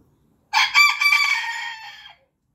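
A Booted Bantam rooster gives a single high, strained crow lasting about one and a half seconds, starting sharply and tapering off; nothing else is heard.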